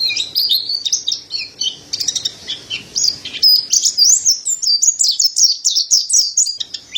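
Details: Mountain white-eye (pleci dada putih, montanus) singing busily in a training recording for songbirds. There is a fast, high-pitched twittering stream of short slurred notes, with zigzag whistled phrases repeated almost twice a second.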